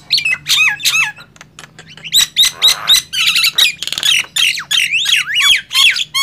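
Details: Loud singing contest between a Nias hill myna and a black-winged myna: bent whistles and clipped squawks pour out in dense, overlapping bursts, with a short harsh rattle midway.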